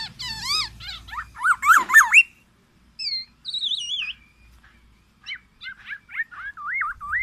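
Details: Black-naped oriole calling loudly: an opening burst of harsh, wavering nasal notes, then fluty, wavy whistled phrases separated by short pauses, with a faint low rumble at moments.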